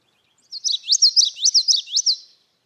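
A Common Yellowthroat sings a quick, rolling phrase of about four repeated slurred, high notes, the familiar witchety-witchety pattern, over clean silence.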